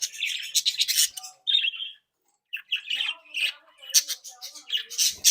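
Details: Captive flock of bred budgerigars, happy, active and playful, chattering: bursts of warbled chirps and harsh squawks mixed with buzzy notes, a brief pause near the middle, then louder overlapping chatter.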